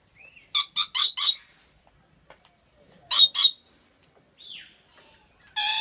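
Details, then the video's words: Rainbow lorikeet in captivity in Aceh, Indonesia, giving quick triplets of harsh screeches, a short whistled note, a soft descending squeal, and a grating buzz at the end. "Rainbow Lorikeet Sounds"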